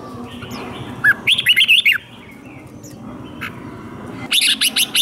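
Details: Red-whiskered bulbul, caged, delivering fighting song for training: a low note leads into a quick warbled whistle phrase, a long pause, then a second burst of rapid bright notes.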